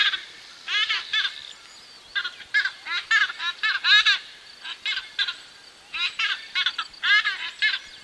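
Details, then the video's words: White-bellied bustard pair calling at close range, with other birds and insects in the distance: loud, harsh, ringing croaks delivered in quick rhythmic bursts, several notes per second, the two voices overlapping in repeated phrases. "White-Bellied Bustard. MCU Calls From A Pair."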